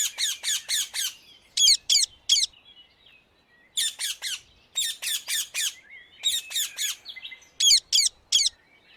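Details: Free-living rose-ringed parakeet in the Netherlands screeching in rapid runs of three to five harsh, piercing notes, the runs separated by short pauses and some softer chatter.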